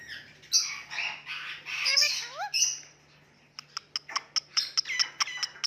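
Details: Talking Indian ringneck parakeet making cute noises: scratchy squawks and a rising whistled slur. A rapid, even series of sharp clicking ticks follows, about ten in two seconds.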